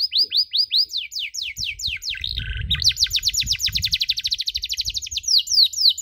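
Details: Canary tutor recording for young canaries learning the cuit-cuit sound: repeated downward-slurred chirps, a brief buzzy burst, then a fast rattling series of sweeps, with a low rumbling noise in the middle.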